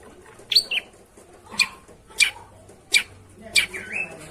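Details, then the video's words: Long-tailed shrike, kept as a songbird, giving sharp high notes used to prompt a silent bird to sing: five loud sweeping calls, each under half a second, roughly one per second, some with downward slurred tails; faint low background hum. "suara pancingan burung pentet macet/malas bunyi di jamin langsung nyaut!!"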